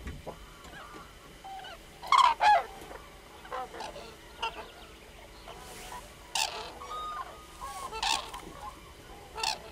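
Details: Common crane: a pair of loud, ringing, harmonic calls in quick succession, surrounded by scattered softer calls and short harsh notes from other birds.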